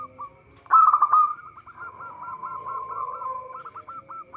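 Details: Actively singing local zebra dove, recorded for luring birds into traps: a strong rolling burst leads straight into a long, even series of rapid curled cooing notes, with a faint steady hum behind.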